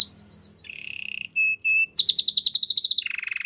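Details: Belgian canary song in short tours: quick repeated high chirps, a low buzzy rattle, two pure flat whistles, then a dense fast high trill and a lower buzzing roll.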